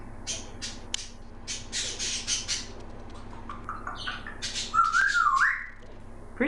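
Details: Female pet African grey parrot, six months old, chattering: a run of harsh, noisy squawks and clicks, then a brief wavering whistle near the end, with a woman's soft voice in the room.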